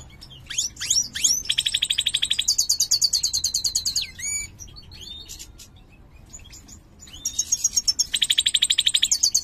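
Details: Ringed mutated goldfinch of the major form singing; the song is described as poor. Twittering and upslurred notes lead into long, fast, metallic trills of evenly repeated high notes, separated by a quieter passage of scattered chirps.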